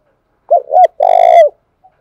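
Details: Spotted dove giving a cooing phrase meant to provoke rival males: a quick double hooting note followed by a sustained, slightly vibrating coo that drops at the end.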